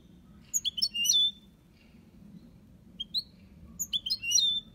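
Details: Goldfinch in an aviary singing the Málaga copy song: tight clusters of high bright twittering notes, each cluster ending in a buzzy trill, separated by about two seconds of near quiet.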